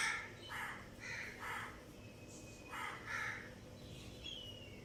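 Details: Chirps from a budgerigar breeding pair, Australian parakeets: a run of short, noisy, buzzy notes in uneven groups, with a few thin rising whistles between them and a low background hum.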